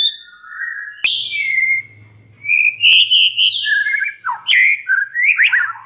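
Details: Song of a white-rumped shama meant to set other shamas singing: varied whistled phrases, sliding notes, quick warbles and sharp high notes in close succession, with a faint low hum beneath.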